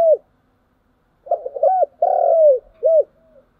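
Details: ['Spotted dove calling in the morning: a series of low, mellow coos, some short and some drawn out, with a longer purring note near the middle and a clean pause before the phrase begins.']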